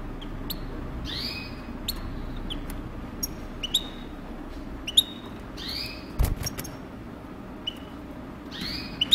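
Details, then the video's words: Breeding European goldfinch giving drawn-out rising slurred whistles at irregular intervals, with sharp clicks and knocks between notes over a steady low background hum. "chardonneret coupleur"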